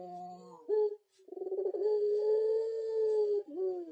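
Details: Turtle dove of the pelung style, described as ghost-like: a short wavering lead-in, then one sustained, smooth, hollow low coo lasting about two seconds before a brief falling end note.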